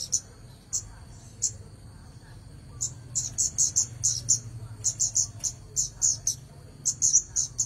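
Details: Red-headed bunting beginning with sparse single high chips that build into rapid runs of sharp repeated notes, accompanied by a steady thin tone and low rumble.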